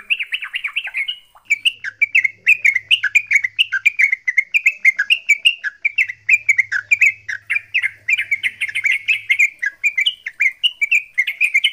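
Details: A yellow-vented bulbul pours out a rapid, bubbly, chattering fighting song, used as a lure to coax quiet bulbuls into singing.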